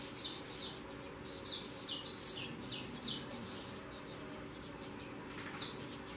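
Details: Fledgling saffron finches, just out of the nest and flying, utter sharp high downward chirps in quick clusters, then a short pause and another run, with a low background drone.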